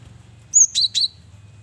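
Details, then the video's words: Singing male cinereous tit, kept as a lure bird: a high whistled note dropping into two lower buzzy notes in quick succession. "Burung Gelatik Batu jantan||Burung Gel wingko Gacor Variasi Buat Pancingan"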